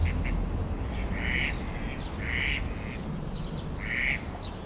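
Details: Eastern spot-billed duck at Oyokogawa Water Park, Sumida, Tokyo, on 21 May 2016, giving three loud nasal quacks about a second apart, over a steady low rumble of wind or distant traffic.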